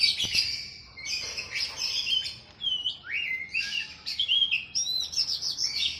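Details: Captive-bird training song of oriental magpie-robin, set against sooty-headed bulbul: rapid high whistles, rising and falling slurs and buzzy bursts in quick succession, clean background.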